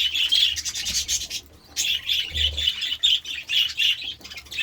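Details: Budgerigars feeding on vegetables give a rapid stream of shrill, warbling chirps that pause briefly partway through, over scraping and rubbing sounds and a low background hum.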